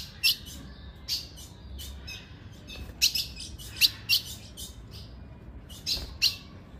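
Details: A female ultramarine grosbeak gives sharp, high chip notes, single or in quick pairs, about seven over several seconds, over a faint low hum; a female call played to excite and stimulate a male.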